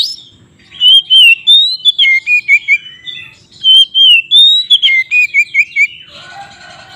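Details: Loud white-rumped shama fighting song meant to provoke rival shamas: rich whistled phrases sliding up and down, then a rapid string of about eight short repeated notes, ending in a harsher rattling burst.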